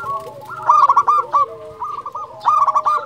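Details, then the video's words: Local zebra dove calling to provoke rivals: short bouts of rolling, bubbly coos, twice swelling into loud, strained bursts, with a softer sustained tone underneath. "Perkutut lokal gacor Juara memanggil hanya sekali putar langsung nyaut"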